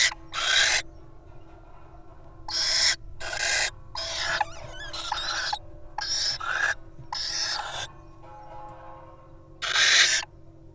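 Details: Wild little owls at a nest box: loud breathy hissing bursts, each about half a second to a second long, repeated at uneven intervals over a steady low electrical hum.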